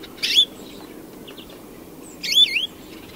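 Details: European greenfinch song: two short buzzy notes about two seconds apart, each a harsh burst sliding into a rising drawn whistle, over a quiet background with faint chirps between.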